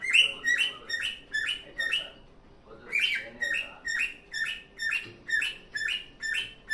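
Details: Happily singing pet cockatiel: bright chirps with a rising inflection, repeated more than twice a second in a steady run, broken by one brief pause.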